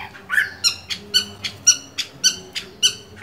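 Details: Chinese hwamei with mung-bean green eyes, moulting: a harsh, buzzy note repeated about every half second, steady and fairly soft throughout.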